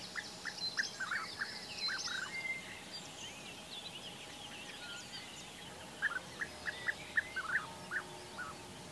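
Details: European bee-eaters, male and female in breeding season, courting with courtship-feeding in Baden-Württemberg, Germany, in May: short rolling calls repeated in quick bursts, a cluster early on and another later, over steady background hiss.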